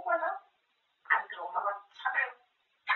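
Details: Pet grey parrot talking nonstop about food: three breathy, speech-like phrases separated by short gaps, ending in a clipped syllable.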